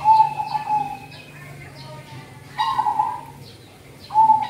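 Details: Zebra dove song for cold-season luring: a trilled coo opens, another follows mid-clip and a third at the end, each a purring, level phrase, with faint high bird chirps and a low background hum.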